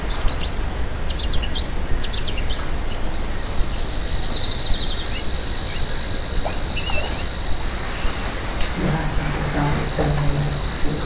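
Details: Savi's warbler (Locustella luscinioides) reeling in a bush at least 200 m away, RSPB Minsmere, May 2017: a fast, even, insect-like buzz held on one high pitch for several seconds, with other birds chipping and low wind rumble.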